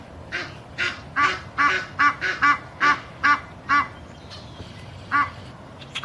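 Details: Female Egyptian geese in a backyard flock, Boca Raton, Florida, December 4, 2016, honking to drive off some of their number. Bursts of coarse, nasal honks in quick series, pausing briefly before a few final calls.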